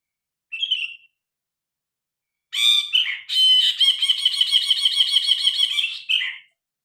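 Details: Grey-cheeked bulbul singing loudly, recorded on a phone with original sound: a short harsh note, then a long run of rapid, rasping, chattering phrases lasting about three seconds, with a clean background.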